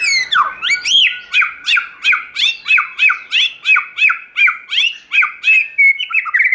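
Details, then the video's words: Forest-voice song from a white-rumped shama: one bright chirping phrase repeated rhythmically about three times a second for several seconds, forming a fast, even trill-like run. "Chòe Lửa Hót Giọng Rừng"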